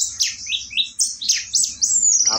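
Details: Orange-headed thrush (Geokichla citrina) singing in the morning, a quick run of high, slurred whistles and sweeping notes ending in a harsh, buzzy note, over a faint low hum.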